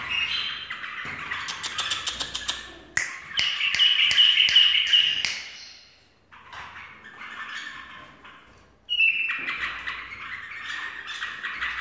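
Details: Bulbul singing in full voice alongside finger snapping: rapid clicks mix with loud, rich warbling and chirps, a short lull, then another burst of bright, fluty chattering phrases.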